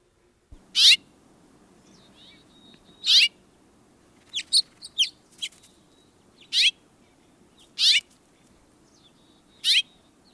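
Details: House finch in Saint Joseph and Elkhart counties, Indiana, giving its call note, a quick 'cheep' sometimes upward-inflected: bright notes every second or two with a cluster of quicker notes midway over a faint low hum.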